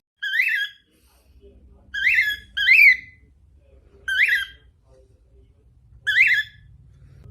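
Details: Pet female cockatiel of the normal grey colour calling in short scratchy upslurred bursts, five notes with the third loudest and slightly longer, separated by pauses of roughly one to two seconds, low background hum.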